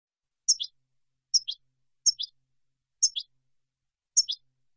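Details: European goldfinch for silvestrismo, the Spanish practice of training songbirds: short, high, sharp double notes, one quick upper chirp and a lower dropping note, repeated about once a second in silence.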